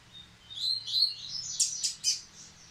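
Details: Caged Rusty-collared seedeater singing again after the moult: a short warbled phrase of high, fast notes rising into sharp buzzy strokes near the end, with a faint low hum underneath.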